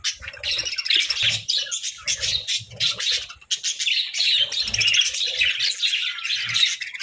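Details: Colorful pet parakeets in lively chorus, fast high chirps and buzzy warbles running almost without pause over seven seconds, punctuated by soft low thuds and bumps.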